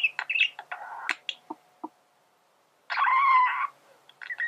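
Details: A male budgerigar makes scattered dry clicks and short chirps, pauses, then gives a single buzzy, nasal warbled phrase followed by more clicks.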